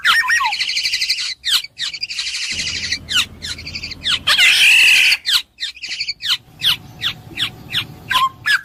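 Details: A black-naped oriole, or kepodang emas, pours out a dense chattering of buzzy notes, then steady descending nasal calls, a loud grating squawk midway and a short clear whistle near the end.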